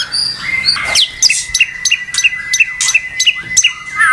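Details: White-rumped shama that had stopped singing, suddenly provoked into nonstop song: sharp, clipped high notes repeated roughly every third of a second over a steady thin whistled tone, with a few sweeping slurs.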